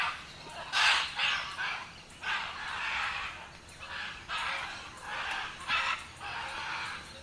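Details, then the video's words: Scarlet macaw (Ara macao) giving a run of harsh, raspy squawks, about seven broad grating screeches over seven seconds with short pauses between, some rising and falling in loudness, no other clear sounds. "Así suena una guacamaya bandera."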